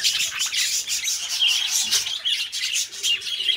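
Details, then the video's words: Pet budgerigars, two companion birds, warbling steadily: dense, fast chirps and chattering trills, bright and high, overlapping without pause, with short scratchy squawks mixed in. "beautiful budgies birds sounds"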